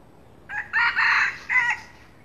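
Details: Red junglefowl crowing in the morning, recorded to lure wild birds: a short clipped opening note, a loud harsh two-part middle phrase, then a brief falling final note, about one and a quarter seconds in all, over faint background hiss.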